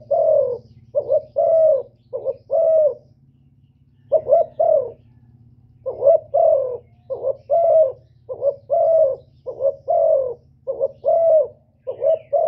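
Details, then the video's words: Spotted dove giving its male-provoking coo: a long run of deep, soft phrases, each a quick two-part note and then a sustained, gently falling hoot, repeated steadily over a constant low mechanical hum. "TIẾNG CHIM CU GÁY KÍCH TRỐNG RẤT HIỆU QUẢ, GÁY GỌI THÚC KÈM CỰC CHUẨN"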